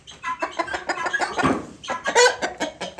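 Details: Guineafowl kept apart after fighting with newly bought guineafowl, calling noisily: dense harsh, rattling cackles repeated rapidly over the whole stretch, with some clucking from other fowl mixed in.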